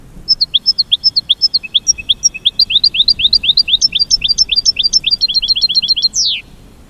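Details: Goldfinch song in a steady, fast series of thin, high slurred notes. The pace quickens toward the end and closes with a short, harsh downward buzz. Quiet background.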